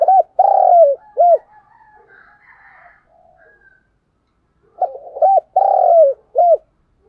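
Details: Spotted dove used as a decoy bird, calling to lure wild doves; two bursts of deep, mellow coos, each a short note, a long falling coo and a closing short coo, separated by a quiet gap.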